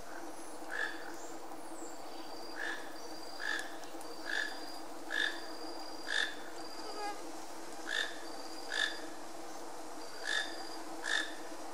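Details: In Iguazu National Park, north-eastern Argentina, a Toco toucan gives short, hoarse croaking notes, repeated roughly once a second at an uneven pace, over a steady low background hum.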